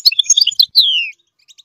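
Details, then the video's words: A goldfinch sings to teach its chicks: quick, jumbled high twitters, then one long clear note sliding steadily downward, and a couple of faint chirps after it. "the goldfinch sings to teach the chicks to song chirp"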